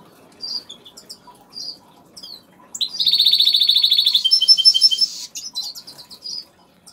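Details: A European goldfinch (Major goldfinch, agate colour) in an aviary sings a fast, tinkling burst of liquid twitters and buzzy trills, framed by scattered high chirps.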